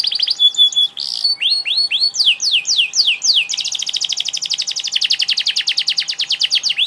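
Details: Energetic canary song: a few chirps and curving whistled sweeps, then a long fast rolling trill of crisp repeated notes, steady and loud to the end.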